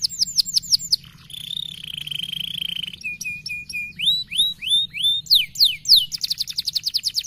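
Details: Canary stimulating song moving through quick upslurred notes, a sustained buzzy trill, flat chips, rising whistles and a fast high rattling trill.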